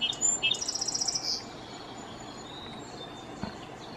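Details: A male Song sparrow calls from his favourite high perch on a power transformer in the Great Smoky Mountains: a couple of sharp high notes, then a quick bright trill of about a dozen thin notes, followed by quiet outdoor hiss.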